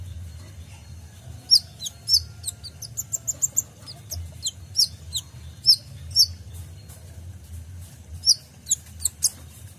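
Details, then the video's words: Kolibri ninja sunbird on a provoking training recording for caged songbirds: thin, very high, sharp notes repeated in short bursts every second or so over a quiet low hum. "PANCINGAN KOLIBRI NINJA (Konin) FULL ISIAN tembakan"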